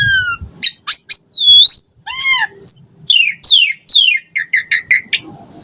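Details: Asian pied starling in lively varied song used to trigger singing in caged birds; swooping whistles, a series of stacked harmonic wails, sharp downslurred notes and a closing chain of quick chirps with a final whistle.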